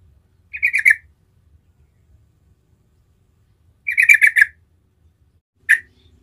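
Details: Gacor ngerol song of trucukan, the Yellow-vented Bulbul, played as a lure so other trucukan reply; three separate bubbling, rapid chattering phrases spaced a few seconds apart in quiet surroundings.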